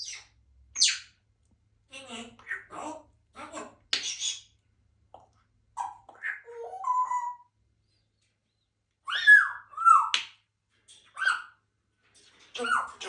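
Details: Pet African grey parrot making speech sounds and weird noises indoors: scattered clicks, chirps and short word-like phrases, a low falling hooting run, then sweeping whistled notes, in irregular bursts separated by short silences.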